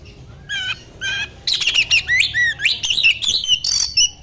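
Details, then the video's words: Oriental magpie-robin song used to provoke other magpie-robins into singing; clear whistled phrases with sweeping rising and falling notes, varied and loud, delivered in quick succession after two opening whistles. "pancingan burung kacer"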